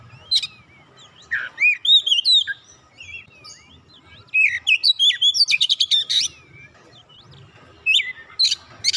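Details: Varied song of an Oriental magpie-robin, played to prompt a quiet bird to sing, alternating sweet looping whistles with dry rattling trills and scratchy chatter in bursts separated by brief silences.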